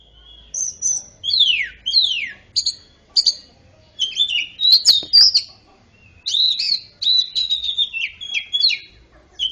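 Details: Greater green leafbird singing a fill-in of oriental magpie-robin phrases, used to stimulate silent birds to sing; loud clear whistled notes, steep downward slurs and quick warbled runs in bursts, with brief pauses between phrases.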